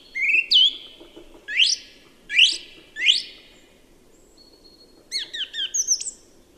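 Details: Song thrush singing: a bright whistled opening note, then a sharp upward-sweeping phrase repeated three times in quick succession, a short pause, and a hurried run of high, clipped chirping notes, over a faint low background rumble.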